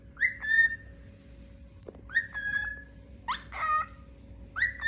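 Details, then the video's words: A bird described as cute making soft sounds: separate whistled calls, each a short rising note that levels into a steady tone, about four in total, with a steady electrical hum in the background. "Cute bird making cute sounds"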